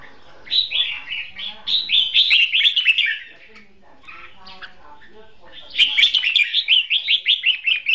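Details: Red-whiskered bulbul decoy singing competitively for trapping; rapid runs of sharp descending chirped notes, a dense burst at the start, a softer middle stretch, then another fast chattering run at the end.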